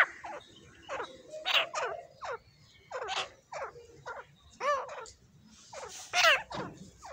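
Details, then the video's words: A pair of grey francolins (desi teetar) calling: harsh, ringing notes with rising sweeps and strong overtones, delivered in irregular bursts roughly every second, some notes overlapping, against a quiet background. "Desi Teetar ki awaz short video grey francoline voice dakhni pair"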